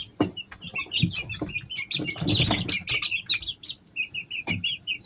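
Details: Easter Egger chicks three weeks old, at home in summer: a busy chorus of high, short chirping peeps from several birds, with dull knocks and a burst of scuffling or wing-flutter noise.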